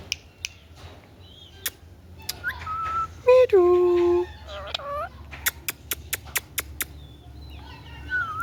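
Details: Talking pet ringneck parrot: soft whistled notes lead into a loud, voice-like phrase with a held harmonic tone, a wavering follow-up syllable and a string of sharp clicks, ending in a gentle rising whistle.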